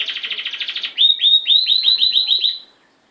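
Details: Canary, the owner's first, singing: a rapid buzzy trill of repeated notes for about a second, then a series of bright upswept whistled notes repeated roughly every tenth of a second, fading out near the end.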